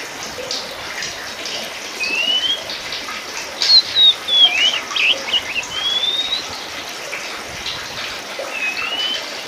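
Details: Oriental magpie-robin of subspecies musicus, the kacer poci, utters a rising whistle, then a busier run of descending whistles and chips, then another upslurred note. A soft watery hiss continues throughout.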